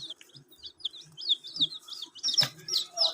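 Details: Chicks of a domestic chicken peeping at a water drinker, quick high falling chirps in a loose run, followed by a louder clattering, splashy burst.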